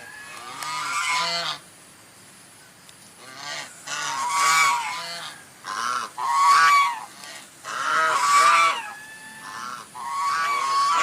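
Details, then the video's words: White swan giving loud, nasal honks in bursts of two or three, each with a rising then falling ring, separated by short quiet gaps across the recording. "SUARA ANGSA PUTIH"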